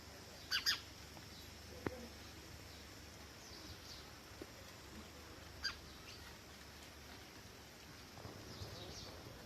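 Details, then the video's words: A few sharp, bright house sparrow chirps, a quick pair near the start and one more later, over a steady outdoor hiss with faint distant calls. "House sparrow chirping sounds"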